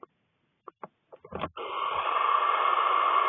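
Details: Six barn owlets together in a nest box in Cornwall while their mother is away on a wing stretch: a few soft clicks and shuffles, then a steady, loud, rasping hiss held without a break.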